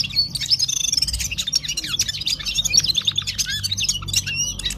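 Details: Gulsar of Parachinar sings a rapid, chattering medley of sharp tweets, trills and short slurred whistles, steady and unbroken, with a low rumble beneath.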